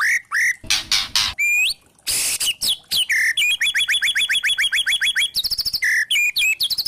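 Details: White-rumped shama (murai batu trotol) kretekan lure song to provoke other shamas: harsh crackling bursts alternate with sweeping whistles, followed by a long fast series of short rising chips and a high stuttered trill.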